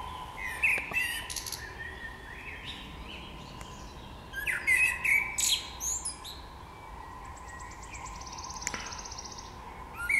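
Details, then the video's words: Birds singing in spring, several bright twittering phrases in bursts with pauses between, sliding whistles and sharp high chips, over a steady faint hum. "Wiosenny śpiew ptaków"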